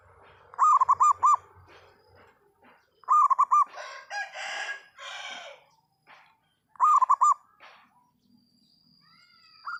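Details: Local zebra dove singing loudly: three bursts of rapid cooing notes a few seconds apart, with harsher broadband rustling sounds between the first two phrases and a faint high tone near the end.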